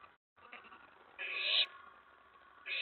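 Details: An owlet inside a nest box at night on 19 May 2017 turns excited when an owl lands on the tray after a mouse delivery. One harsh, hissing screech runs about half a second, with a quieter raspy sound at the start and end.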